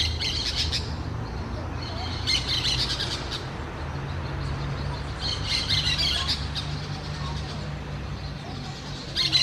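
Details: Harsh squawking chatter from orange-chinned parakeets in repeated bursts about every two seconds, a flock calling together over a low background hum.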